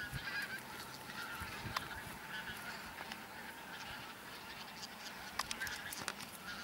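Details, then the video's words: Bean geese in a huge flock on a Texel field, Holland, 22 November 2014; overlapping distant honking and chatter form a continuous wall of sound with occasional louder calls. "Rietganzen (veel!), Texel"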